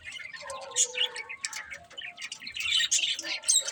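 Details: Budgies give scratchy high chirps and squeaks over a steady low chatter, with a few clear sharp whistled notes standing out.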